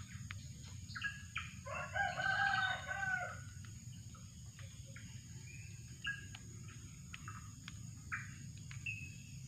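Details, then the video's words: Drongo at a trapping site gives a loud, rasping, grating call of about a second and a half. Scattered short chips and clicks follow over a continuous low-frequency hum. "mikat burung srigunting"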